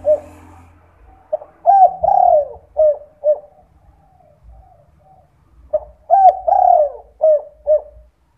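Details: Night 'kuk 2' lure call of a spotted dove (derkuku), used so other doves join in; two phrases of low coos, each with a drawn-out falling coo flanked by short notes, faint quieter coos between.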